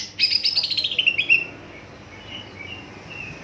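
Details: Song of a greater green leafbird, used to spur other leafbirds into singing: a rapid string of bright notes sliding downward over about a second, followed by faint softer whistles, with low background hum.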